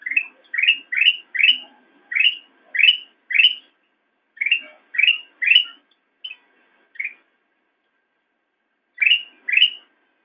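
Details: Master recording of black-crested bulbul for teaching caged songbirds: clear, rising whistled notes given in quick bursts of three to four, separated by pauses, ending after a long silence with two more notes.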